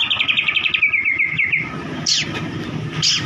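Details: White-rumped shama song for provoking a reluctant bird to sing: a quick run of about fifteen sharp repeated notes sliding gradually lower, followed by two short high whistled slurs over a faint low hum.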